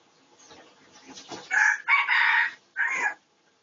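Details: Pradu-coloured red junglefowl recorded for research on 18 August 2023, crowing in three loud, hoarse segments after a quiet, faintly rustling start.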